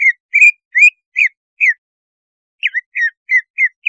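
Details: Greater Green Leafbird lure song, used to raise mating arousal so a bird turns aggressive or wakes: clear slurred whistles, rising and falling, about five in quick series, a pause, then another run of bent notes.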